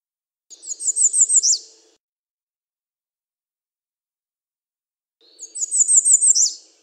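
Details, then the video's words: American redstart singing: two bursts of high, thin, rapidly repeated notes, each about 1.5 seconds long, ending in an accented downslurred note, separated by roughly three seconds of silence, with a faint low hum during each phrase. "American Redstart Singing - Candelita Norteña Cantando"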